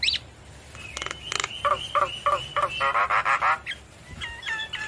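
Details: Javan myna singing to goad reluctant birds into calling back: a short high squeal, then harsh clicking and croaky, rattling notes in a rapid run, ending with a few steady mid-pitched whistles.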